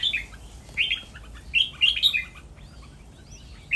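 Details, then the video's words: Captive breeding-pair Red-whiskered Bulbuls on a farm giving bright, chirpy, slurred phrases, four or five short bursts within a few seconds, over a faint steady hiss. "พ่อแม่พันธุ์ เสียงร้องเล่น"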